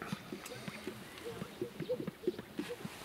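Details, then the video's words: Greater sage-grouse males displaying at a lek mating center in Fremont County, Wyoming, during peak breeding season, give low, hollow popping and cooing notes every half second or so, with faint human voices counting copulations. "Sage-grouse Lek- Peak Breeding Season"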